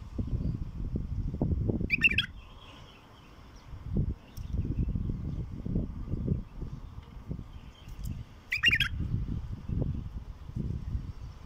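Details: Wild bulbul delivering two brief bubbling warbled phrases several seconds apart, each a quick cluster of liquid notes, against heavy low rumbling wind or handling noise throughout.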